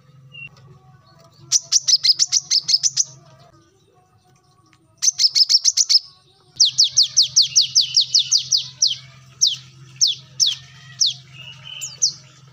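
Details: Brown-throated sunbird, known locally as kolibri kelapa or wiceh, in energetic song: three bursts of rapid, thin, high descending notes separated by short pauses, the last burst slowing into spaced chips. A faint low hum runs throughout.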